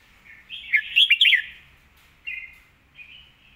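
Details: Red-whiskered bulbul, its song described as nicely phrased, clear and quick, delivering a fast run of bright chirps, then two short, softer whistled notes after brief pauses.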